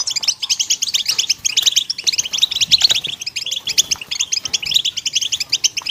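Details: Several European goldfinches calling together, used to motivate birds: a dense, continuous chatter of bright, high tinkling notes overlapping without pause.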